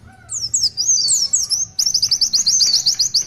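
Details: Oriental white-eye in its long 'tulitwitwit' song: a loose sequence of high twisting whistled notes giving way to a fast even trill of short repeated notes, roughly four per second.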